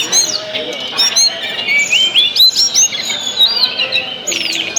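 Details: Tledekan song meant to stimulate other birds: clear high whistled notes, some rising sharply, mixed with rapid chattering trills and overlapping chirps of other singers.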